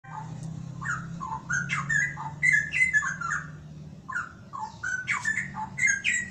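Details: Straw-headed bulbul in forest-style song: loud, rich, liquid whistled phrases in bursts, sliding up and down with short gaps, over a steady low hum.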